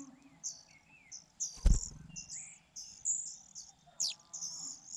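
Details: Fujian niltava nestlings, a brood of four hidden in a grass nest, begging while being fed: thin, high squeaky notes in short bursts and slurred strings, with a heavy thump partway through and faint lower chirps behind.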